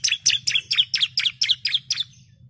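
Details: Female bar-winged prinia calling the male, a lure recording to make birds sing: eight rapid sharp chirps with a high, chattering, slightly downslurred quality, about four per second, then quiet with a low steady hum behind.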